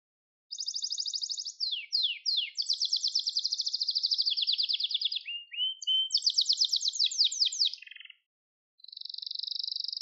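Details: Gloster canary song phrases: a high trill, several steep downward sweeps, a long fast rattling trill, rising slurred notes, another quick trill, then after a pause a steady buzzy trill.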